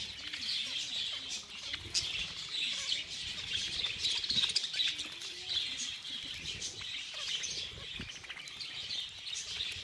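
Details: Budgerigars in a feeding frenzy fill the air with constant high twittering and rapid chirps from many birds, with scattered clicks and soft lower sounds underneath.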